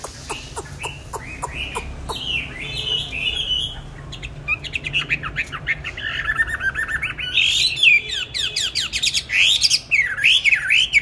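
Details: Songbird in captivity, bought 19 May 2020, starts with soft ticking and thin notes, building into busy chattering phrases and loud swooping whistles repeated toward the end.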